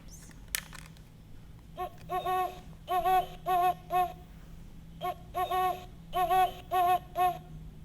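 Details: Great horned owl song, the classic hooting of a common owl of Indiana, played as an example call: two deep, rhythmic hooting series of about five notes each, the middle notes drawn out, over faint room hum.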